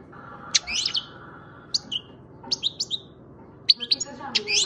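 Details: Young goldfinch, seven months old, bred in Macedonia, giving bright high twitters and tinkling trills in separate short bursts with brief gaps between them, over a soft low hum.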